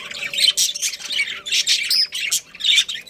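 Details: Pet budgerigar pair giving harsh, short squawks and chirps in separate bursts about every half second, over a faint steady hum.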